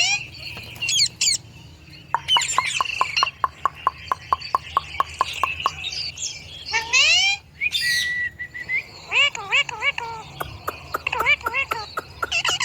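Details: Pet Indian ringneck parakeet clicking rapidly in a steady series, interspersed with harsh squawks, a sustained whistle and wavering warbled notes.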